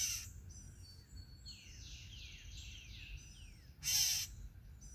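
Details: A Gray Catbird (identity uncertain) at a bird feeder, seemingly telling the observer to leave, gives a run of quick, high, down-slurred notes with thin high whistles and a couple of loud rustling bursts.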